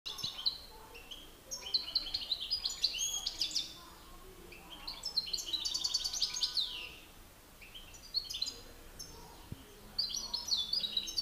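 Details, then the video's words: Male European goldfinches in a singing contest, a master bird against an excited rival: bursts of bright twittering, tinkling notes and buzzy trills high in pitch, coming in phrases separated by short pauses. "Battle de chardonnerets"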